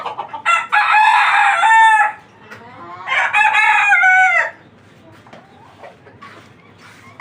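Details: Native deshi chickens on a farm of 29 hens kept for eggs: two loud, rough, drawn-out calls, each over a second long, followed by quiet with faint clucks and knocks.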